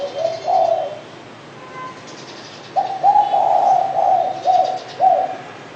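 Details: Spotted dove giving mellow, low coos: a brief pair of notes, about two seconds of quiet, then a sustained series of five or six rounded coos run together, with faint twittering in the background.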